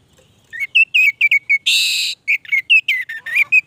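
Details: Orange-headed thrush (anis merah) in gacor song: clear, short whistled notes in quick succession, broken midway by a harsh, hissing rasp, then more sweet whistles and twitters; faint low background hum.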